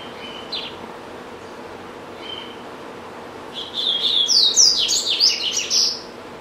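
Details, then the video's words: Pet double-collared seedeater owned by a family, singing indoors: two faint thin whistles, then a loud burst of rapid high twittering and sweeping notes lasting about two and a half seconds. "Coleiro Bravo - Canta Muito"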